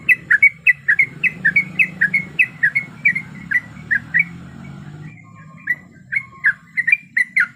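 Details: Female sooty-headed bulbul in breeding condition calling a male: a long, steady series of quick slurred chirps, roughly twenty notes, a brief lull near the end, then the calling resumes over low background noise.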